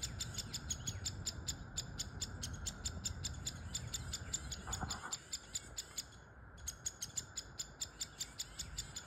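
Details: Woodpeckers with their babies in a tree: nestlings give a rapid, steady train of raspy high chirps, about five a second, over a constant thin whine and low rumbling background noise.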